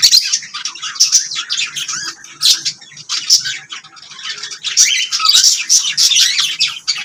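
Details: Lovebirds kept as pets, chirping and singing: dense high chattering with harsh squawky notes and quick twitters, in bursts of varying loudness that swell near the end.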